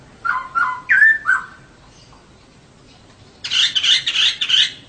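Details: Female poksay (laughingthrush) singing as a lure so males sing actively; four short slurred notes, a pause of about two seconds, then a harsh, high, rattling burst.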